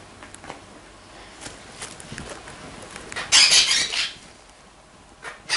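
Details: Green-cheeked parakeet kept as a house bird, giving one loud, harsh, noisy screech lasting under a second, followed by a short second burst at the end. Faint clicks and tapping come before it in a quiet room.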